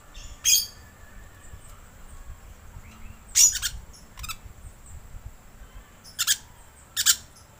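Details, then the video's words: Rainbow lorikeet lure call: sparse, shrill squawks, a single shriek, then a doubled burst, a thinner note, and two final screeches, with a low rumble underneath. "Suara Pemikat Burung Perkici Hijau"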